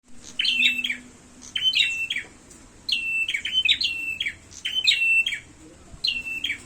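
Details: Prinia giving its fighting call, a sharp chirped phrase with a quick high note dropping to a flat trill, repeated in bursts about every second with short pauses; faint low hum underneath.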